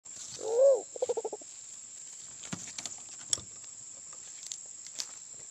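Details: Sulawesi black pigeon call used as a lure for this forest pigeon, endemic to Sulawesi and nearby islands: one low, rising-then-falling hooted coo followed by a quick run of four or five short pulsed notes, then quiet with faint clicks and a steady high hiss.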